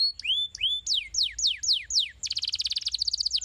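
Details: Canary singing as a stimulus for other canaries: two rising whistled notes, then a run of sharp downward sweeps, then a rapid, even high-pitched trill to the end.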